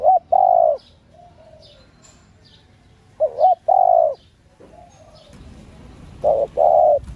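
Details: ['Female spotted dove calling to rouse males into cooing: three phrases of short rising notes ending in a drawn-out coo, softer lower coos in between, and background noise that swells toward the end.']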